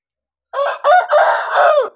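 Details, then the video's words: Red rooster crowing: a loud harsh crow in several connected segments over about one and a half seconds, with rising and falling strained tones and a drawn-out final note, after a brief silence. "Red Rooster"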